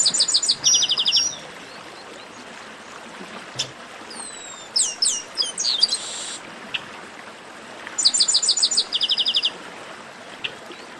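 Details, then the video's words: Chestnut-capped blackbird in esquenta, or warm-up, song: rapid high buzzy trills open the sequence, a group of sliding whistles follows midway, then another dense trill after a quiet gap, with faint ticks between phrases. "Melhor Esquenta de Garibaldi"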